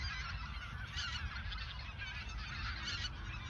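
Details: Large group of geese at the Ochsenmoor reserve in autumn 2022, a few days before flying south, producing dense overlapping honking over low background rumble.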